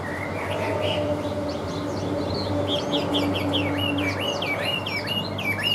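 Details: Caged Chinese hwamei singing well in an even voice: a run of varied, sweet whistled notes, many slurred up or down, flowing without pause over a steady low hum.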